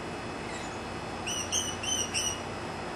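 Green aracari giving four quick, high, slightly rising squeaky notes, about three per second, over steady background hiss.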